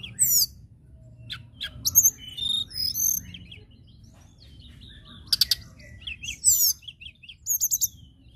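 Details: A local common tailorbird delivers varied high chirps, quick descending slurred notes and short bursts of rapidly repeated sharp notes, with brief silences between phrases and a soft low hum behind.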